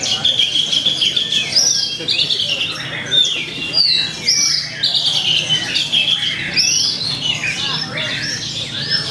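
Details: Javan bush lark singing at a songbird contest in Purwakarta on 2 February 2020: a busy, continuous run of high chirps, trills and sweeping whistled notes, loud and varied, with faint voices below.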